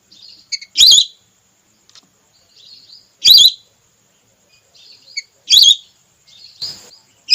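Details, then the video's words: Lure recording of a female red whistling duck used by hunters: loud, quavering high whistles about every two and a half seconds, with softer chirps and faint whistles between them. "Suara pikat burung belibis merah terbaru/suara betina"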